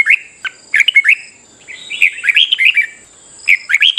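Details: Morning singing of a red-whiskered bulbul played to spur birds into competitive song: a rapid, run-together warble of chirpy whistled notes, fuller in the middle, then two short bursts at the end, steady high hum beneath.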